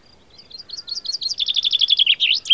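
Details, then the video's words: Common chaffinch (Fringilla coelebs) calls and sings at Baie d'Audierne, Finistère, Brittany, France, late April–early May 2022: a bright, accelerating series of high notes tumbling into a rattling trill, ending in a quick flourish. "PINSON DES ARBRES (Fringilla coelebs) Cris et chant"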